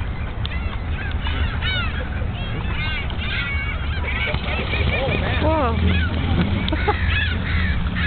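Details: Ducks fighting during spring break 2009, one female involved: a burst of harsh, arched honking calls, many overlapping and repeated in quick succession, over a steady low rumble of background noise.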